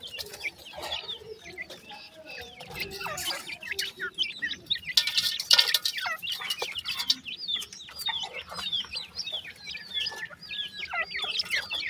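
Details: Grey francolin chicks calling together: many high, thin chirps and short rising peeps overlap continuously, with occasional rustling and fluttering sounds in the background.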